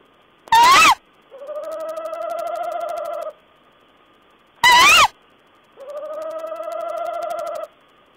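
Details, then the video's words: Owl exchange recorded 14 April 2010: a sharp, loud, rising-falling call, then a two-second tremulous trill, with the pair of sounds repeated once more. "Owl's talk"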